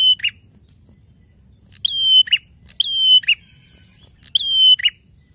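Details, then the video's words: Prinia song meant as a master recording for songbirds: a clipped note followed by three phrases of a long, high, level whistle ending in a low buzz, spaced roughly a second apart. "Prenjak Gacor narung Ajib!"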